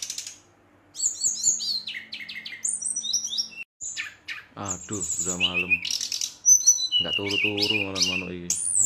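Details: Brown-chested jungle flycatcher singing excitedly at night to provoke rivals: high whistled slurs and quick chirping phrases, with a man's voice talking over the second half.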